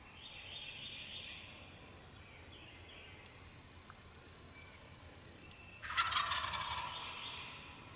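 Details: Eastern wild turkey gobbler at dawn in Mississippi: after quiet, faint birdsong, a loud, broad, rattling gobble bursts out near the end and trails off over about a second.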